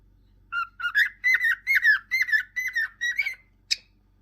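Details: A pet cockatiel gives a quick run of about ten clear whistled notes, each slightly bending in pitch, in a steady lilting rhythm, followed by one short sharp chirp; a faint low hum sits underneath.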